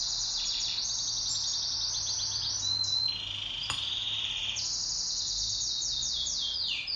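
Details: Pet canary singing in a duet: dense high trilled song of fast pulsed rattles, a short sustained steady note midway, then more rapid rolling trills with descending sweeps near the end.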